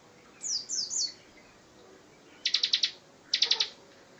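A bar-winged prinia gives three quick, high, downslurred notes, then two tight bursts of rapid, sharp, clicking notes about a second apart.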